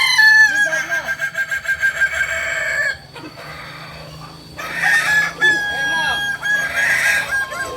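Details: Kokok Balenggek roosters practising together in Amko, Solok city: a fast series of clipped, stepped crow syllables, a brief lull, then two more full harmonic crows that rise and trail off.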